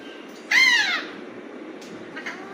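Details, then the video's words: An Alexandrine parakeet gives one loud, harsh, arching squawk, then a fainter short call, over light background hiss. "Alexandrine parrot natural sounds || Raw parrot natural voices"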